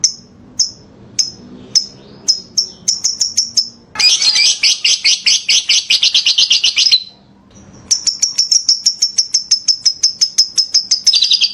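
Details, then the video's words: Lovebird singing ngekek, said to be lively and good as filler material: spaced high chips quicken into a dense, buzzy chattering trill lasting about three seconds, then after a short gap another long run of rapid chirps. "Ngekek makin gacor love bird"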